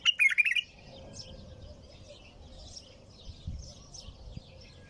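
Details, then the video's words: Tur-style nonstop singing of a bulbul: one loud, rapid run of rich slurred notes at the start, followed by faint high chirps and a low steady hum. "تغريد بلبل طور بدون توقف"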